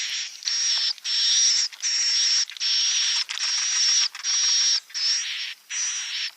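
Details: Swiftlet calls played to lure birds into nesting at a site: buzzy, chirring bursts, each under a second with short gaps, repeated about eight times. A thin whistled tone runs through each burst.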